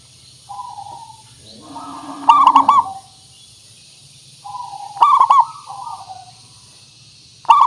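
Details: A local zebra dove recording used as a lure call for trapping gives soft, mid-pitched cooing phrases ending in quick staccato notes, repeated about every two and a half seconds over a low steady hum.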